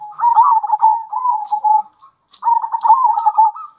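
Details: Zebra dove song in local bekur and kerot style, alternating wild and captive-bred birds to heighten other doves' excitement and breeding drive; two long, continuous rolling coos with quick tremolo pulses and a short pause.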